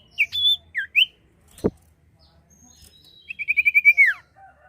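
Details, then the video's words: Song of a common iora for luring birds: a few clear slurred whistles, a sharp click, then a fast trill of repeated notes ending in a steep downward sweep. "sirtu gacor atau cipoh gacor efektif pancing burung anda"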